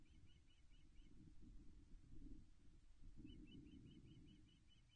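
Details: Ospreys at the Loch Arkaig nest, Scotland, 17 May 2021, during morning mating (female raises tail, male mounts): thin, high whistled chirps in quick series of about five, over steady wind rumble.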